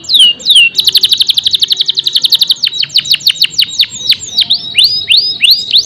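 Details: Canary singing: two falling whistles, a fast even trill, then a long series of sharp descending whistled notes repeated several times each second.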